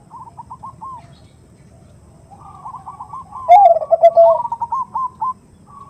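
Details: Zebra dove female in 'nutut' style, calling for a male as a lure: faint repeated clipped coos, then a louder burst of rapidly rolling, slightly descending coo notes followed by a string of brisk higher notes.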